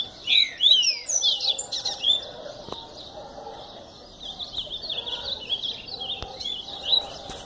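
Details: Double-collared seedeater song opening with loud, fast descending slurred whistles, then softer rambling twittered notes continuing to the end; two sharp clicks are also heard.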